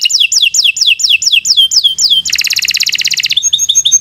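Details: Canary singing long and loud: a series of about ten quick descending whistled slurs, then a rapid buzzy trill lasting about a second, ending in thin high notes.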